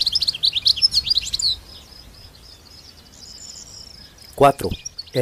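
European Goldfinch song: a rapid burst of bright, tinkling twitters, then a thin high drawn-out note; a voice briefly cuts in at the end.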